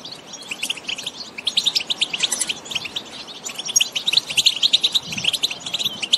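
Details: Several European goldfinches singing and calling in open countryside. A rapid, liquid twitter of high, chirpy notes builds into a busy, overlapping chorus that grows louder toward the end.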